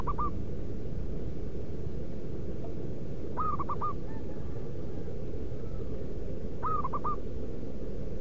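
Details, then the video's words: Wild local zebra dove in natural surroundings, used as a lure to call other doves: three phrases of quick, soft, rising coos, spaced about three seconds apart, against a continuous low hum. "Merbuk pikat lokal suara si battosai pemanggil perkutut di alam liar"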